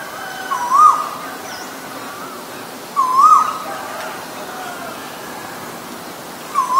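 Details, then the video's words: Asian koel (Eudynamys scolopaceus), male and female, Thailand region: short whistled notes that rise and fall, near one kilohertz, repeated about every two and a half seconds, three phrases in all, over a steady background hiss. "นกกาเหว่าตัวผู้และตัวเมีย (Asian koel, Male, Female)"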